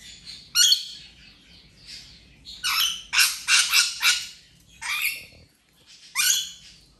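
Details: Recovering rainbow lorikeet playing, ten days after an injury: loud rasping screeches come in irregular bursts, a rapid run of four mid-clip, interspersed with quieter chatter.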